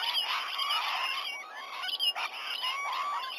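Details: A morning gathering of rainbow lorikeets at a sea-eagle nest tree in Sydney Olympic Park, Australia, on 19 November 2020 around 7 a.m.; a busy chorus of harsh chattering and squealing notes, with brief louder bursts near the middle.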